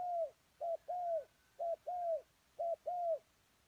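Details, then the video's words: Spotted dove kept as a decoy, calling to lure wild doves: soft, low hollow coos given in pairs, a short note followed by a longer drawn-out one, repeated three times in a quiet setting. "Cu Gáy Mồi Đất"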